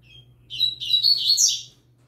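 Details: Yellow-bellied seedeater, a young bird, sings near a green-winged saltator. A faint high note comes first, then a fast cascade of sharp, warbled chirps and buzzy trills runs for just over a second. A steady hum stays in the background.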